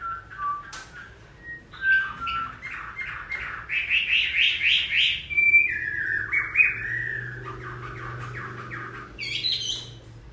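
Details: Chinese hwamei singing in the rain: a rich run of varied whistled phrases, some rising, some falling, with fast trilled bursts of repeated notes in the middle and a steady low hum beneath.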